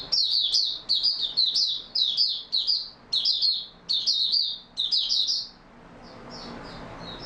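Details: Oriental white-eye in stable open song, 28 February 2022, pouring out a string of closely spaced high twittering bursts for five seconds, then quieter, softer notes trailing at the end.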